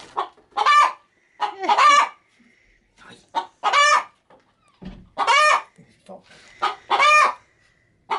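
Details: Pet hen preparing to lay an egg inside a chicken-feed bag, cackling as a person approaches: harsh, broadband squawks in uneven bursts, each short clucks followed by a longer drawn-out cackle, about six bursts with brief gaps.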